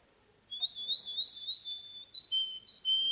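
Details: Champion Russian canary at a Russian canary championship in Russia, singing pure, high whistled notes that waver slightly, followed by short clipped whistles in quick succession on a near-silent background.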